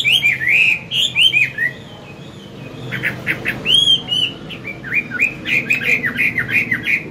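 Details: Forest-voiced Chinese hwamei, a mature wild-caught songster, in morning song for training young birds: whistled phrases, a short lull, then clicking notes and a fast series of looping whistles.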